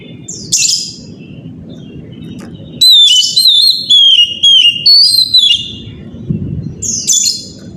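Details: Morning lure song of an Oriental magpie-robin for getting other birds, including young ones, to sing: a short rasping note, a pause over low hum, then a strong series of about eight wavering whistles, and a final harsh rasp.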